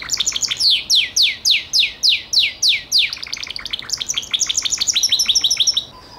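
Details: Gloster canary song opening with a string of about a dozen loud, regularly spaced falling whistles, then switching to a quicker, softer chattering trill.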